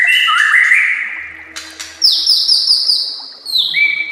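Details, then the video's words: White-rumped shama masteran recording for training songbirds: rich warbled phrases give way to a long, high, sustained whistle with rapid ticking overtones, then a lower falling whistle; faint low hum behind. "Masteran Murai Batu Full Isian"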